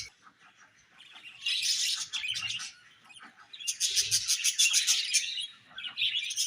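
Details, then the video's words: Budgerigars twittering: a soft start builds into fast, repeated high chirps in two loud bursts, with a faint low thump in between. "Budgies Chirping Sounds"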